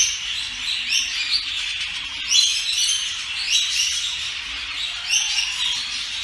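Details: Budgerigars in a breeding setup chatter in a steady stream of high, scratchy warbles and chirps.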